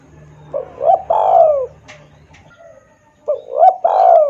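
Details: Spotted dove lure call, played loud and clear to draw in wild doves: two cooing phrases, each with short rising notes building into a long, drawn-out descending coo, over a low steady hum.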